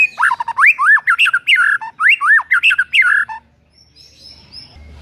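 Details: White-rumped shama in the morning, singing to stir a rival to sing: rich, rapid whistled phrases with deep swoops and looping slurs, two similar bursts, then a near-silent ending with faint high notes.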